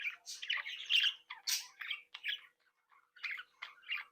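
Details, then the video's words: Budgerigars from a home breeding flock chatter happily: rasping squawks and bright warbled chirps in close succession, one whistled trill midway, then a short pause before a few sharper chirps. "Sonidos de Mi Cría de periquitos Australianos"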